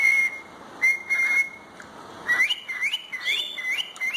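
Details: A talking, dancing pet cockatiel whistles clear, steady high notes, then a quick series of rising, upslurred whistles.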